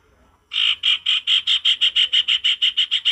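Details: Male sirtu in vigorous forest-style voice, giving a rapid buzzy chatter of about thirteen harsh notes, each one evenly spaced and steady in pitch, starting abruptly after a short silence.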